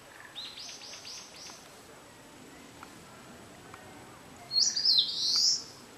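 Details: Eastern crowned warbler song opening with a rapid string of soft, high, down-slurred notes. After a pause comes a strong, harsh, buzzy high phrase near the end.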